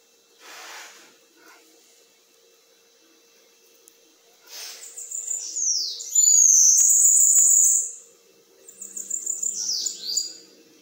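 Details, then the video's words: Bananaquit (sibite) singing in the 'metralhadora' style: very high, thin, buzzy trilled phrases broken by pauses, with a loud sweeping squeal-like whistle in the middle and a final buzzy burst; a faint steady hum runs underneath throughout. "SIBITE METRALHADORA 😱🤑E SUAS MELODIAS"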